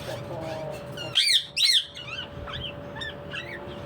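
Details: Parrot giving two loud, harsh squawks in quick succession, then softer scattered squeaks, over a low steady hum and faint murmuring.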